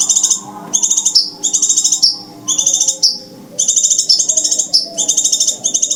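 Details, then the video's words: Scarlet minivet calls used for trapping birds with glue: dense runs of sharp, high, stuttering notes, with phrases often closing in a quick downward slur, delivered almost continuously. "Rahasia cara mikat burung sepah raja,ya dengan mp3 jitu ini"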